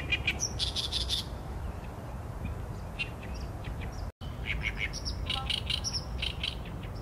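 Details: Oriental reed warbler, filmed with a Sony A7M3, delivering loud croaking, grating song bursts in two bouts separated by a pause, each a rapid run of harsh chattering notes.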